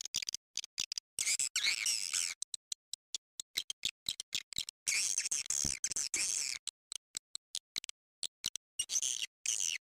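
Edible-nest swiftlets twitter in dense, high, buzzy chirps that come in abrupt bursts separated by brief silences.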